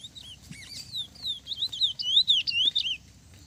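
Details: Lesser seed finch dueling with a brown-plumaged rival: loud, fluty whistled phrases of rising and falling slurs strung closely together, growing stronger midway, with faint low hum behind.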